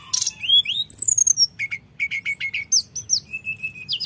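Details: Common iora song used as a rival-provoking lure: a harsh opening note, descending high whistles, then a run of short clipped notes and a level whistle ending in rising slurs.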